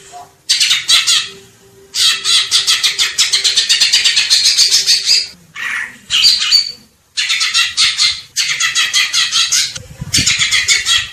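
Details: Greater green leafbird giving dense, harsh chattering song in long bursts separated by short silences, with a few clearer whistled notes between.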